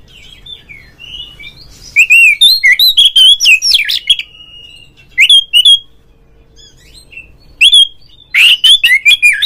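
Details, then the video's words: Oriental magpie-robin, lure sound to stir a kept bird into song: soft whistles, then a loud rapid phrase of sharp notes and a long steady whistle, later short repeated bursts of loud scratchy and whistled notes. "suara pancingan burung Kacer agar CEPAT GACOR FULL buka ekor"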